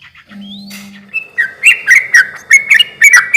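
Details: Sooty-headed bulbul in lively song, used as a lure to make other bulbuls answer; after a faint thin whistle, quick bubbly chirping notes tumble up and down in a rapid run.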